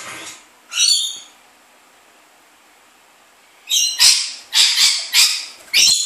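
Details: A pet rainbow lorikeet that wakes its household squawking and flying gives harsh, grating screeches: two quick bursts, a pause, then five more about half a second apart. A person speaks softly.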